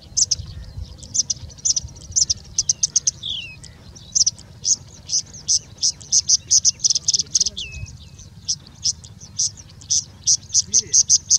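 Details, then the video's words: Wild singing bush lark in India, pouring out a long mimicking song that borrows from Indian Robin, Pied Bushchat, Plain Prinia and Common Woodshrike; bursts of dense, high twittering trills broken by a few slurred, falling whistles. "Singing Bushlark singing and mimicking for more than three minutes straight"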